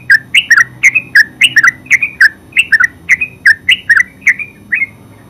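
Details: Terucuk, the yellow-vented bulbul, singing a continuous ngeropel phrase of quick chattering notes, about three per second, each a bright chirp with a click and a falling whistle, steady throughout.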